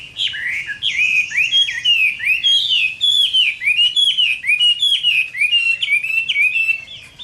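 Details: Fighting song of a caged Chinese hwamei at summer midday: a loud, unbroken stream of clear whistled notes, each sliding up then dropping, repeated quickly and varied throughout with bright, ringing phrasing.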